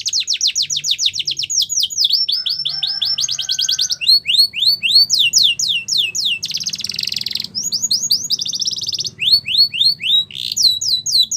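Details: Russian canary singing a training song: rapid, bright rolling trills of repeated downward-sweeping high notes, switching between tours, with a brief lower warble and a buzzy rattle midway.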